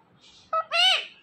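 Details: Talking pet parrot repeating a word: a clipped, flat opening syllable, a brief gap, then a louder, rasping, drawn-out syllable that slides downward, with faint background hiss.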